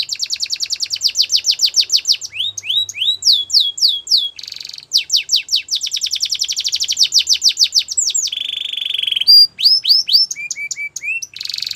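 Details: Song of a Russian canary: fast trains of high descending notes alternate with rising whistles, a brief buzzy trill and short rattling tours, the phrases changing every few seconds in a continuous, lively performance.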